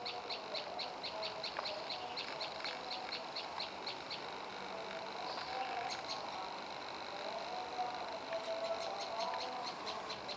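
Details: Prenjak lumut, the Olive-backed Tailorbird, repeats bright high chips for the first few seconds, then pauses and resumes more sparsely, over a rumbling vehicle background with scattered whistles.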